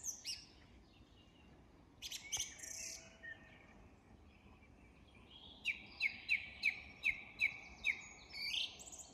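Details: Song thrush at dusk in an English woodland, with scattered rich phrases and then a bright note repeated about seven times in quick succession, over a soft hush of evening background.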